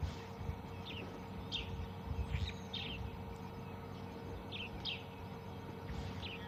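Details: Wild brown-headed parrots squawk and squeak at dawn on 2 June 2020 during a morning safari drive in a South African private game reserve. Brief scattered high squeaky notes come over the low rumble of a stopped vehicle.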